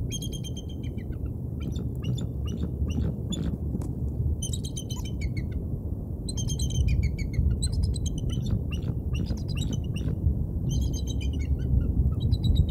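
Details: Bald eagles at the Decorah North nest, captured by a live cam at 23:38 on 29 August 2022; repeated bouts of high, squeaky chittering notes in fast stuttering series, separated by brief pauses, over a persistent low rumbling hum.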